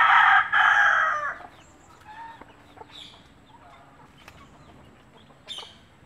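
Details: Country hen calling her babies to food while scratching and dropping bits for them; one loud, rich, buzzy call opens, followed by faint scattered peeps and ticks.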